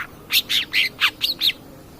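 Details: Long-tailed shrike singing, used as a training recording to provoke other birds: six quick, harsh chirped notes in rapid sequence, then a pause, over faint background hiss.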